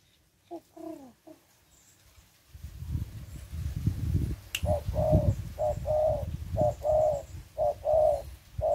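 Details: Spotted dove in a session training a young bird to come down to the ground, using decoy birds. A few scattered notes, then a run of low, hollow coos repeated about once a second over a rumbling background noise.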